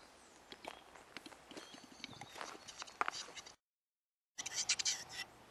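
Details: A displaying male western capercaillie: a run of dry, sharp clicks quickening over three seconds, then after a short break a loud, harsh scraping burst, with faint rustling behind.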